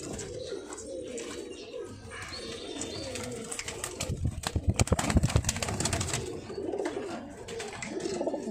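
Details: Pigeons kept for sale, low soft cooing murmurs repeating through the clip, with a burst of loud clattering and flapping-like knocks in the middle and a steady background hiss.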